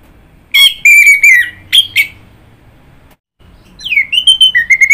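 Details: Orange-headed thrush song: a fast series of loud, slurred whistles, a short pause, two brief sharp notes, then a new phrase of wavering rising and falling whistles that ends in a quick string of repeated notes.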